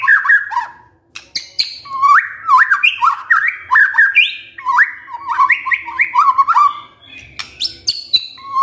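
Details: White-rumped shama song used as a lure to provoke a male into singing: a fast run of varied whistled and chirping phrases, rising and falling notes with sharp clicks, nearly continuous for most of the stretch.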